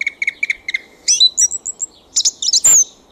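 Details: Thrush singing at night in a back garden: a short note repeated several times, then sharp high squeaky phrases and a bright upslurred whistle, loud against a faint background hiss.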